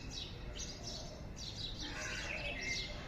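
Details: Morning birdsong: soft, scattered high chirps, with brief warbled notes building toward the end, over constant low background noise.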